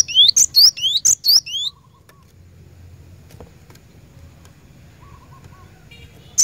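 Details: Cinereous tit, lure song for caged birds: a quick string of rising whistles and sharp high pips for under two seconds, then a long quiet stretch with low hum and faint tones, one last high note.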